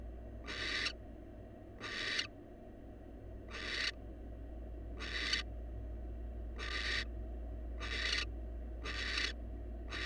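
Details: Wild barn owl at a monitored nest box shared by a newly formed pair, giving harsh, breathy hissing screeches, about eight half-second bursts over ten seconds at uneven spacing, over a steady low electrical hum.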